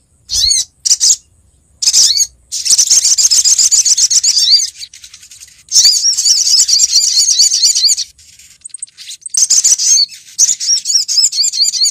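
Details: Olive-backed sunbird female calling to attract a male, recorded as a bird lure in Lumajang, Indonesia: a few sharp high chirps open into long, dense trills of fast, shrill notes with short breaks.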